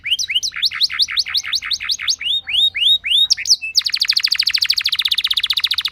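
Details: Canary singing in a loud, rolling style used to prompt other canaries to sing: repeated rising whistled notes in steady series, then a fast trilled roll of rapid buzzy pulses.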